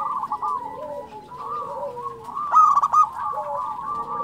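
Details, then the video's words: Zebra dove (local perkutut) singing: continuous low, wavering cooing with slurred falling notes, punctuated midway by a loud, rapid, rattling coo burst, then gentler cooing again. "SUARA perkutut lokal gacor"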